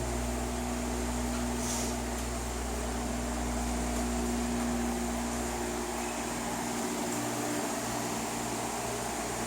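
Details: Constant mechanical humming and fan-like droning indoors, with steady low tones and no animal voice.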